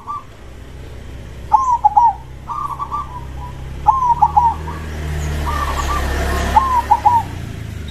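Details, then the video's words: Zebra dove, crossbred and loud-voiced, repeating short trilled coos about once a second over a background rumble and hiss that swells midway. "suara perkutut gacor dor krosing suara besar"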